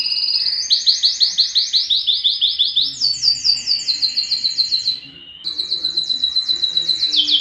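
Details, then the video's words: Singing yellow canary: a sequence of fast rolling trills, each section held steady before jumping to a new pitch, with a brief pause near the end before the trilling resumes. "yellow canary singing"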